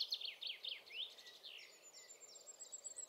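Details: Common firecrest singing in the Eifel near Dohr, Germany: a quiet run of very high, thin notes, a fast series of descending slurred sweeps followed by a slightly lower, steady accelerating trill; faint background hiss.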